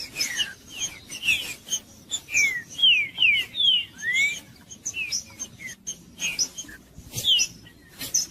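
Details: Green-winged saltator singing to warm up a cold bird: a run of clear whistled notes sliding down, with one rising slur, phrases repeated briskly, several short chirps between, light background hiss.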